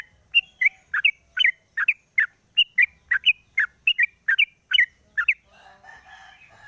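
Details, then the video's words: Captive sooty-headed bulbul in the morning, cage cover opened, singing for a lure recording; rapid string of bright double chirps for about five seconds, then a softer, blurred chatter at the end. "pancingan burung trucuk di pagi hari buka krodong bunyi"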